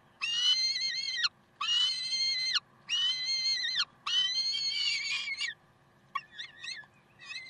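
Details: Morning recording from 30 May 2010, 7:27, of Karlsruhe peregrine falcons: four loud, grating, harmonic wails of about a second each that fall off at the end, followed by fainter, clipped, broken notes.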